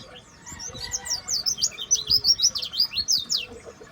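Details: Seven-year-old dakbal-type white-eye (pleci) in song, giving a fast, continuous string of high, thin, sweeping chirps, roughly three notes a second, twittering and slightly irregular.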